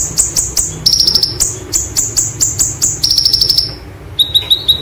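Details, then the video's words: A white-eye (konin) sings a "roll tembak" song of high, thin chips repeated quickly, broken by several rapid buzzy rattling rolls; a higher metallic trill phrase closes the song. "Konin Materi Roll Tembak Sejalur"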